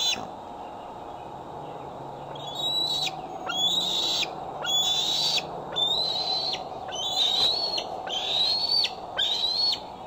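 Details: Decorah nest cam, evening of 12 July 2011 at 8:44 pm: a female bald eagle fitted with a transmitter that day, back on her branch, gives a run of piercing whistled calls, slightly upslurred and cut off with a downward drop, nearly one per second.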